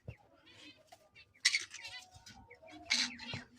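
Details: A breeder's pair of pineapple conures gives two loud, harsh, high squawks, one after the other, between quieter chatter and a man talking nearby.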